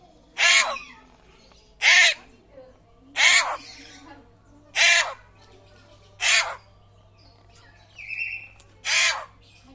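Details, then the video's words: Harsh, ringing calls repeated at an even pace, about one every one and a half seconds, from a rare butcherbird in Papua said to sound like a raptor, with a brief softer whistle near the end. "BURUNG JAGAL PAPUA SUARA MIRIP RAPTOR LANGKA"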